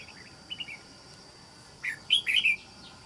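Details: Wild-caught red-whiskered bulbul held as a trapping lure, noted for a good island-forest voice, sings two soft chirps, then a loud rapid burst of four liquid, slurred notes; steady mechanical tone underneath.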